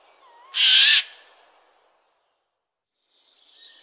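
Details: Adult Eurasian jay in its forest territory gives one loud, harsh, rasping screech of about half a second, followed by quiet with a faint hiss at the end.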